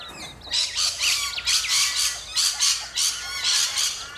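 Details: Rainbow lorikeets in Australia: a run of harsh, loud screeches, each burst about half a second long with short gaps, repeated roughly once a second over faint background hiss.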